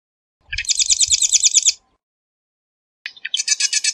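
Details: A marsh wren gives a rapid, rolling high trill of about a second over faint low thumps. A second gurgling, rattling trill begins after a pause.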